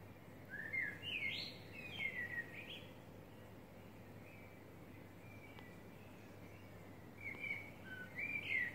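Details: Birds singing in the early morning in Sheffield, United Kingdom: two bursts of quick, sweeping whistled notes that rise and fall, with a steady low hum and background noise between them.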